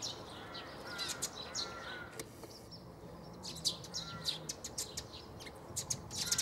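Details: Eurasian tree sparrow chirping at Bundek, Zagreb, Croatia, 9 March 2015: scattered sharp tweets, busier toward the end, alongside a few faint drawn-out calls from other birds over a quiet low hum.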